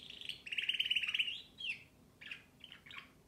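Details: Canary delivering a fast, ringing, rolled trill that breaks into a few separate bright chirps. The background is quiet.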